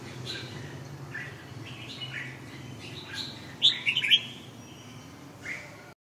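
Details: Red-whiskered bulbul with faint chirps, then a short, sharp burst of four or five bright, quick notes about two-thirds through, followed by a single softer note; steady low hum underneath.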